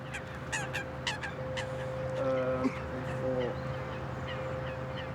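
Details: Canada geese at a lake near London in January give a few short, nasal honks in the first half, over a steady low hum, a thin sustained tone and faint voices.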